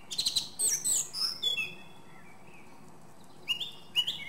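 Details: Song thrush singing: loud, clear whistled and chirped phrases in quick bursts, then a pause before two sharp rising notes.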